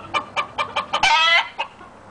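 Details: Red junglefowl stag from an Indian breeding line of the YellowLyon strain gives five quick sharp pulses, then a loud rasping harmonic crow of under half a second that stops abruptly, followed by one faint pulse.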